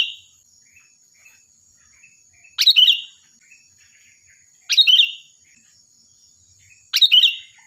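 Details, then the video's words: Sooty-headed bulbul in loud, ringing song used as a master recording for training other birds: short, bright, bubbling phrases repeated about every two seconds, separated by silence with faint soft chips between them. "Suara burung Kutilang Gacor || Nyaring dan keras cocok untuk masteran"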